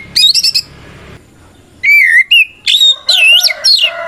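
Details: White-rumped shama, a vocal bird singing a fighting-style song used to provoke other shamas into answering; bursts of rapid high chirps, then loud whistled phrases sliding up and down with buzzy, harmonic-rich notes, separated by short pauses.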